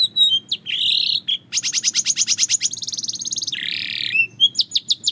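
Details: Belgian canary song used as daily singing practice: a buzzy harsh burst, then fast ringing trills at steady rhythm, another rough buzzy phrase, ending with sharp separate chirps over a faint low hum.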